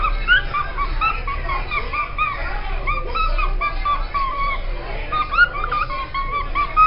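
A cockatiel sings short whistled phrases over blues music playing in the background.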